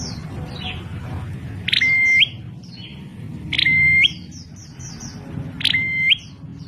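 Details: Bar-winged prinia (prenjak klawu) giving an unusual sound: a sharp burst opening into a level whistle that jumps upward at its end, repeated three times about every two seconds, with soft high chirps of other birds between and low background rumble.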